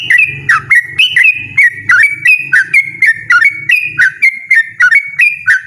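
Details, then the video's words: A yellow-vented bulbul pours out a loud, persistent 'ropel' song of quick, bright whistled notes, each slurred up or down, at a steady brisk pace over a soft low hum. "burung trucukan ropel ngotot suara lantang"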